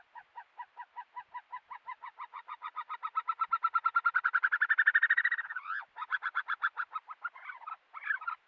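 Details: Himalayan snowcock singing, a bird of Himalayan alpine pastures and steep rocky cliffs: a clear, loud run of rapid clucking notes that speeds up and climbs in pitch, then a short break and a few more irregular notes.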